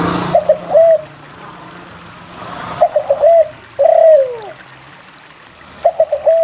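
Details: Lure recording of a spotted dove that sings often, to prompt quiet doves to call. It gives repeated phrases of two or three short coos, then a long downward-curving coo, with pauses of about two seconds between phrases.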